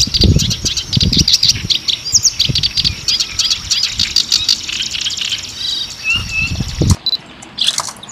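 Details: Kerak basi, a reed warbler, singing busily in a rich song compared to the sikatan londo of Java. A dense, scratchy chatter of high notes runs almost without pause, with one short whistle and low thumps early on.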